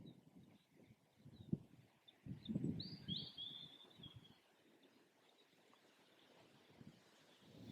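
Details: A pair of wild red kites (Milvus milvus) displaying over a garden and farmland in Yorkshire at lunchtime on 24 February 2021, on an overcast day. A thin, distant, wavering whistle falls away over about a second, against low wind rumble.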